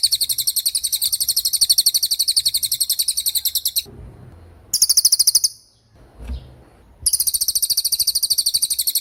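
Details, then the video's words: Cililin tembakan song, a very clear, sharp training recording for white-rumped shama and other songbirds: long runs of rapid, high, ringing notes, broken by a short burst and a quiet pause with faint low thuds. "MASTERAN TEMBAKAN CILILIN GACOR DOR,SUPER JERNIH & TAJAM"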